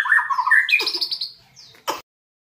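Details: White-rumped shama in training to become a fighter, giving a brief run of rapid warbled whistles that climb higher before fading, ended by a sharp harsh burst.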